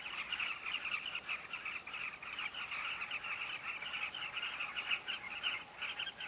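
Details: Crowded carmine bee-eater breeding colony, Kavinga Safari Camp, with numerous birds giving overlapping short rolling chirps in a constant, lively chatter.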